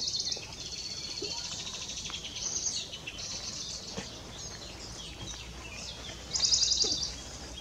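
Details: A Western Bonelli's warbler gives a short, dry, high trill under a second long over faint high chirps and ticks, at Parque da Quinta do Convento, Fundão, Portugal, in April 2019.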